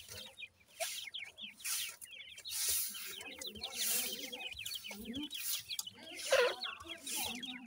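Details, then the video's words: Grey partridge chicks newly hatched this season, guarded by their parents, keep up a steady twittering of high, short, slurred cheeps, with a few lower soft notes mixed in. "grey partridge birds new season chicks"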